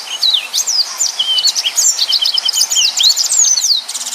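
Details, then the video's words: Yellow-fronted canary pouring out continuous, tightly packed 'nembak' song for tutoring other birds: loud high whistled slurs and chirps with barely a pause, ending in a fast trill of repeated notes. "Burung Mozambik Gacor||Suara Nembak Full Rapet"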